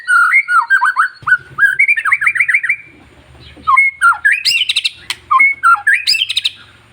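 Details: Captive long-tailed white-rumped shama singing to stimulate other shamas: rapid runs of repeated slurred whistles, then bursts of rising notes and harsh chatter, over a faint low hum.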